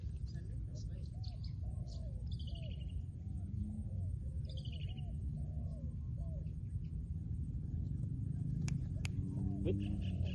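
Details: Long run of low, arched, bubbling coos from a trained spotted dove used as a decoy, delivered in quick succession, with faint high twitters, a couple of sharp clicks and steady low background noise.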